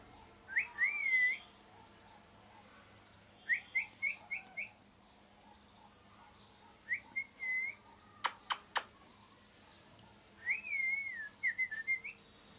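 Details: Parrot making clear, wavering whistled phrases, some rising and falling, others short repeated notes, spaced every few seconds, with three sharp clicks midway and low background hum.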